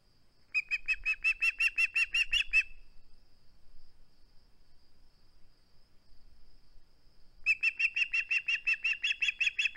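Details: Osprey at its nest on 21 August 2020, unwilling to give up a flounder, seen on a live camera: two long bursts of rapid, shrill whistled chirps, separated by several quiet seconds.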